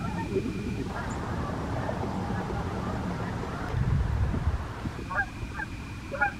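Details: Wild Canada geese flying in the morning in the USA; a few short honks come late, near the end, over a heavy low rumble and steady background noise.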